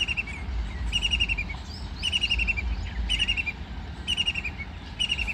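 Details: Rattling call of a white-throated kingfisher that is bathing and flying, short rapid bursts of sharp notes sliding downward, about one burst per second over a low steady rumble.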